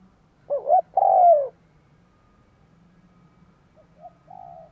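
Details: Spotted dove song used to lure wild doves: a clear hollow phrase of two quick notes and a drawn-out descending coo, then softer fragmentary coos near the end over a faint low hum.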